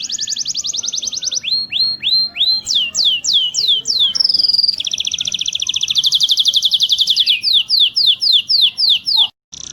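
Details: Training song of a canary meant to teach birds to sing and roll: a sequence of rapid trills, then a series of slower down-slurred notes, a short whistle, another fast roll, and more repeated swooping notes.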